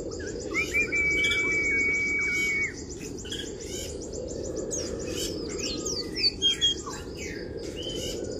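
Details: Oriental white-eye in a kriwik-style training song meant to provoke rival birds: a long steady whistle, then scattered high, quick chirps and twitters over a constant low hum.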